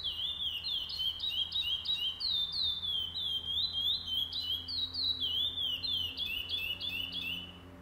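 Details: Curió, the chestnut-bellied seed finch, singing at a tournament stage on 8 November 2020: an unbroken run of clear whistled slurs, alternating falling and stepped notes, about three per second, with faint low hum behind.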